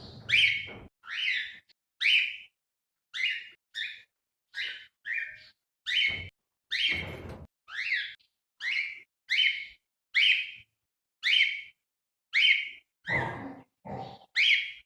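A cockatiel gives a steady run of bright, whistled calls, each note bending up and down.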